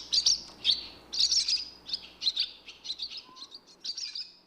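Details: Rapid high twitters from a barn swallow, short chirps strung into a run of about a dozen notes that fade slightly towards the end.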